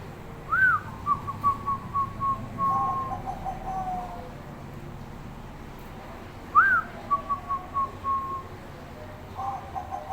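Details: Bangkok-type zebra dove singing steadily: each phrase opens with a sharp rising-falling note, then a quick series of short clipped coos that trail off. The phrase repeats about six seconds later against faint background noise.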